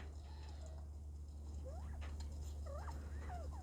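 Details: A quail in an outdoor aviary on 14 February 2024, on a spring-like day with lots of quail calling, gives a series of short, curving whistled notes that rise and dip, several in quick succession, over a steady low hum.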